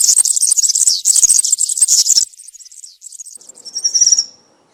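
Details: Country-style song of a European serin in the forest. A dense, high, tinkling buzz runs for about two seconds, then softer scattered twitters, and a thin high whistled note ends the phrase.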